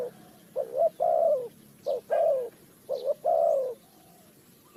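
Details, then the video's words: Spotted dove in Ninh Thuận, Vietnam, recorded around bird trapping: three clear phrases, each a quick double note leading into a longer descending coo, with short gaps between. "The Sound Of the dove,The Sound Of Cuckoo Bird,เสียงนกเขาใหญ่,Bird Trap,Cu gáy Ninh Thuận"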